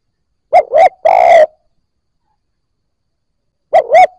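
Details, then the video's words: Cooing of a spotted dove, played to encourage freshly caught doves to coo. One full phrase, two short hollow notes and a longer grating coo, then a pause before the next phrase begins. "Tiếng cu gáy kích bổi nhanh nổi"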